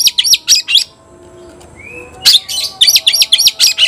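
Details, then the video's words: White-rumped shama, kept caged, calling an opponent to fight: loud bursts of sharp, buzzy chattering notes about four per second, a brief gap with a thin rising whistle, then more harsh rapid chatter. "Teriakan KACER panggil lawan tarung"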